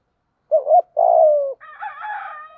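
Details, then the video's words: Spotted dove coo used in decoy training: a wavering double coo, then a longer downward-sliding coo, followed by a softer, rougher higher-pitched sound. "chim cu gáy tập bổi hiệu quả mới nhất, tiếng gáy giúp bổi nghe rất xiếng gáy và nổi mau"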